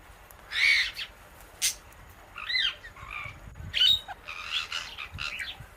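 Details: Indian ringneck parakeet feeding on guava seeds alongside an Alexandrine parrot; short raspy squawks mixed with brief rising and falling chirps and clicks, several bursts within a few seconds.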